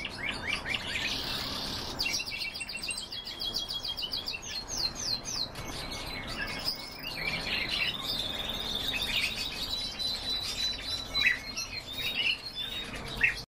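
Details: Pet canaries singing: a long run of rapid high trills and twittering phrases, fast repeated chirps changing pitch and speed every few seconds, over a steady background hiss.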